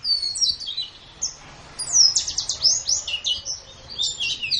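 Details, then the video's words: White-eye song recorded as a training master: high, descending whistled slurs open the phrase, then a loud rush of quick, sharp chirps and twittering notes. "Ocehan Suara Burung Pleci"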